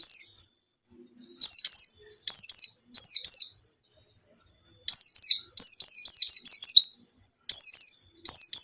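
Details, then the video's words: White-eye song for enticing an unwilling caged bird to sing: piercing high downslurred chirps, first spaced about every second, then a rapid rolling twitter, ending in paired chirps. "PANCINGAN PLECI MALES BUNYI"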